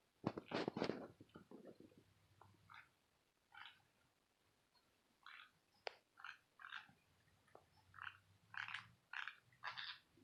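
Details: Green-cheeked conure family of five kept as pets, a normal father, a yellow-sided mother and three chicks, making weird noises: a loud burst of harsh squawks, then short grating chirps repeated roughly every half second in a quiet room.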